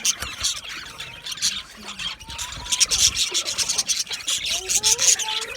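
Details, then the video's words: Budgie singing and chirping sounds for lonely budgies; steady high chattering warble with rasping, grating notes and a few thin rising whistles underneath. "Budgie singing and chirping sounds"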